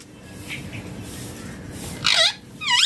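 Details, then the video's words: Ringneck parrot, after a soft faint note, gives two sharp arched screeches near the end, each rising then falling steeply, over low indoor hum. "Ringneck Parrot Natural Sounds || Parrot Voice Original"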